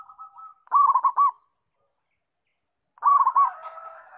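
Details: Zebra dove, a local bird, singing: faint soft notes lead into a loud, rapid, stuttering coo phrase. After a pause, a second phrase is overlapped by a longer, blurred cooing sound.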